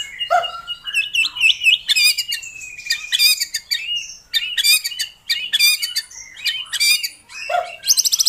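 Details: White-rumped shama song used to prompt a captive bird to sing: a fast, varied medley of whistles, chattering notes and sharp high buzzy bursts, with a long sustained whistle near the middle.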